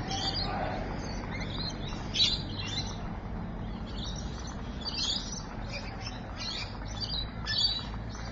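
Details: Rainbow lorikeets at Evans Head on 26 May 2012, giving repeated harsh, rasping screeches in irregular bursts every second or so, with a steady low rumble of background noise.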